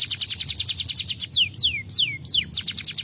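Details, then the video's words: Canary of the Starblue type in full song, played to coax lazy canaries into singing: a fast rolling trill of high notes broken by four long descending whistled sweeps, then the trill resumes. "Burung kenari Starblue gacor PANCINGAN AMPUH Kenari Malas bunyi"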